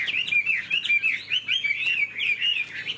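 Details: Chinese hwamei kept as a cage bird, flicking its wings while singing; a rapid chain of rich, sliding whistled notes, about two per second, bright and looping, over a quiet background.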